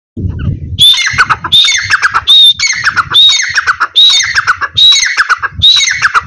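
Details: Grey francolin calling in a fight between grey and black francolins: loud, harsh, squawking phrases with a high whistled start, repeated about once a second in a steady series, with low rumbling noise just before the calling starts.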